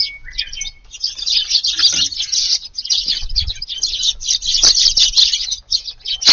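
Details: Eurasian tree sparrows packed together feeding in a garden at dusk, 22 July; a thick, steady chatter of high-pitched chirps throughout, opening with a thin sustained tone and a few short gaps.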